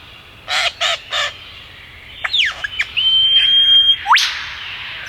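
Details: Singing in the Dandenong Ranges of Melbourne's east, a male superb lyrebird gives three rough, buzzy bursts, then a pause and a mix of swooping whistles, a long level whistled note and a sharp upward sweep.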